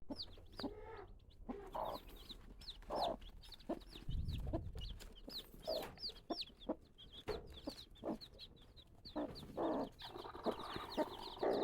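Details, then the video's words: Newly hatched Mizo native chicken chicks give high, thin peeps again and again, with lower clucking and scattered knocks and rustling underneath. "newly hatched Chicks Mizo Native Chicken"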